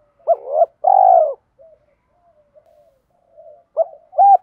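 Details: Spotted dove singing a 'thổ'-voice coo mixed with fight-provoking calls, meant to train decoy birds to coo all day: a loud two-part coo with a rising start and long hoarse note, quiet murmurs, then a new phrase beginning.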